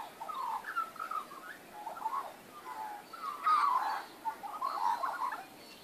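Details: Magpies warble in a backyard on 19 April 2014, with mellow, gurgling phrases of fluty slides and short rolls coming in irregular bursts, the loudest near the middle.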